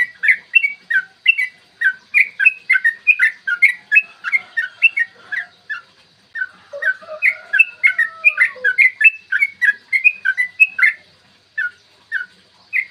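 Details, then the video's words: Extended 'ropel panjang' song of a yellow-vented bulbul in the morning, used to provoke other bulbuls into singing; long rapid run of bubbly chirps with a short pause midway and low drawn whistles in the background. "trucukan gacor TARUNG ROPEL PANJANG pancingan trucukan agar BUNYI dan EMOSI"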